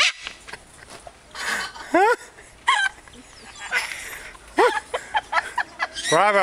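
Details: Cockatoo in a Key West garden chattering in rising and falling speech-like phrases, short bursts at first, then a longer wavering utterance at the end, amid faint background rustle.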